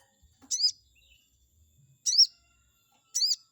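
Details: Provoking song of a Chestnut-backed scimitar babbler: three bright, high, arched notes, the first doubled, spaced over about three seconds against a quiet background.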